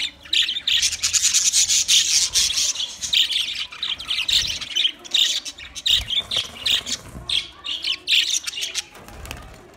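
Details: Budgerigars, about twenty pairs kept together, chattering in a dense chorus: rapid high warbles, squawks and chirps overlapping almost without pause, many calls a second.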